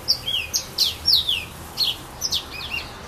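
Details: Yellow-fronted canary in casuarina trees, Saint-Philippe, Réunion, singing high, clear, bouncing whistles, each note sliding down, with a little looping trill near the end.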